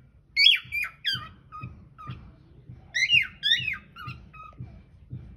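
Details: Caged cockatiel, recorded by hidden camera in a small room, sings two groups of sliding, warbled whistles separated by a pause, over quiet rhythmic tapping.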